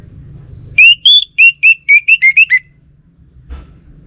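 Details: Caged orange-headed thrush kept by a bird keeper in Singaraja, North Bali, singing: a loud run of about nine short, clear whistled notes, slightly rising then falling, delivered quickly over two seconds, followed by a faint click against low background hum.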